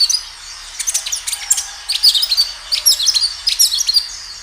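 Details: Kinoi singing vigorously as a lure for other birds: dense runs of very high, clipped chirps mixed with short whistled notes, continuing almost without pause.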